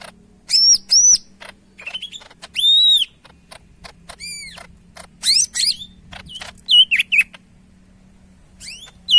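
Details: Medan greater green leafbird in full, lively song: long clear whistles, arched slurred notes and rapid chips alternating, bursts separated by brief pauses, faint low hum beneath.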